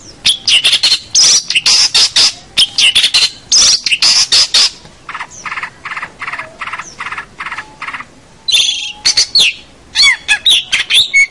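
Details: Long-tailed shrike delivering rich, vigorous song for training young shrikes: loud harsh chattering phrases, then a run of rhythmic grating notes, ending in sharp high whistles.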